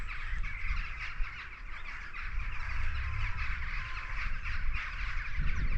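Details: Rooks cawing from a possible rookery near the River Stour around Sturminster Newton, Dorset, on an early spring morning walk: many harsh overlapping calls running on continuously over low wind rumble.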